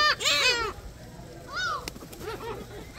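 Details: Gulls in a noisy flock at Sinjindo, Seosan, South Korea; a loud harsh cluster of overlapping cries opens, followed by a single clear arched mew and softer distant calls.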